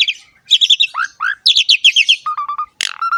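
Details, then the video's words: Energetic Asian pied starling song for training young birds to sing: fast chattering bursts, two upward-slurred whistles, more chatter, then low steady whistled tones and a sharp harsh note. "PANCINGAN BURUNG JALAK SUREN SUPER GACOR FULL ISIAN MEWAH"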